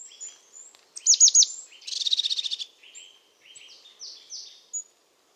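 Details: A European crested tit gives a cluster of high, down-slurred notes, then a rattling buzzy trill of about ten pulses, followed by softer falling notes and two thin slurs before the song stops.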